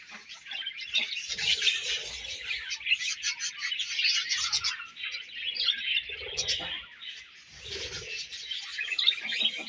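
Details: Caged budgerigars feeding and exchanging food, giving a dense, continuous chorus of high, scratchy chirps and warbles, several birds overlapping with brief soft clicks and knocks underneath.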